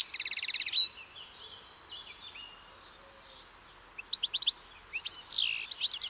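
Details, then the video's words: European goldfinch song beginning with a rapid buzzy trill, then soft, faint twitters, and ending with loud liquid notes and a sweeping slurred whistle. "O canto do PINTASSILGO/GOLDFINCH SONG (Carduelis carduelis)"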